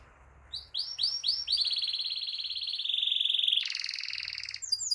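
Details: Canary singing energetically in a rolling style, used to tutor young canaries and prompt silent ones: after a quiet start, rising chirps repeat about four per second, then merge into a long rapid high trill and end in a lower buzzy roll.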